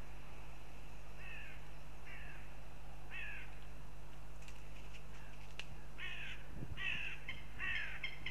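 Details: Northern goshawks at the nest in Riga, Latvia: a series of drawn-out, downslurred wailing calls, about one per second, becoming louder and harsher toward the end over a steady low hum.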